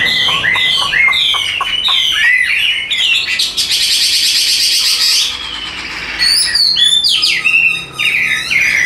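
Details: Tame caged Chinese hwamei sings while carried by hand: rapid repeated whistled notes, a burst of rushing fluttering noise in the middle, then loud clear slurred phrases resume.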